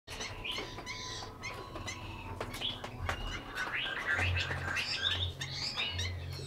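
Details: Kept Chinese hwamei in Hanoi, Vietnam, singing rapid, varied, high chirps and whistled phrases in quick bursts over a steady low hum.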